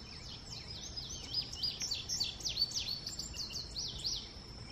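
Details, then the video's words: Indigo bunting at sunset gives a quick run of high, thin, sweeping notes, several each second, over a soft background hiss. "Indigo Bunting ---sounds"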